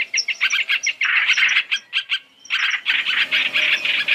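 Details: Chinese hwamei calls from a three-in-one lure recording made for trapping: bursts of harsh, rapid chattering notes in quick series, a short pause near the middle, then a longer dense run of scratchy chirps.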